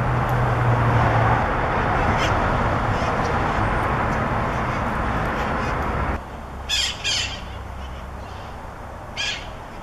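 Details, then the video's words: Wild conures in Pasadena, Southern California, give harsh, grating squawks in a quick cluster of three or four, then one more a couple of seconds later, after several seconds of steady rushing background noise. "Wild Parrots Conures ~ Wild Parrot Sounds"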